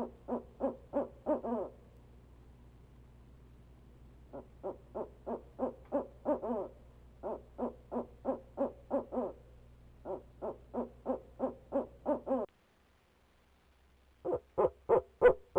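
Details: On the Leesville nest camera, a male barred owl calls from the box for 45 minutes. Repeated runs of fast, evenly spaced hoots, each closing on a longer quavering note, a brief silent gap, then loud hoots resume.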